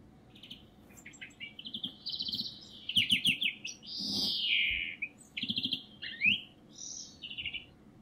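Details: European greenfinch in spring at a feeder in Kandalaksha, Russia: trilled twittering phrases, a long rising-falling wheezy note around four seconds, then further chirped trills and short twitters.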